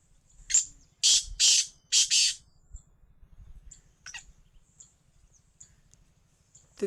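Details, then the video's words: Black francolin, recorded 22 February 2025, giving a rasping call of one short note followed by three longer harsh, scratchy bursts. Faint chirps follow, and a low rumble runs beneath. "kala teetar ki awaz | black francolin voice | kala teetar | black teetar ki boli | teetar voice"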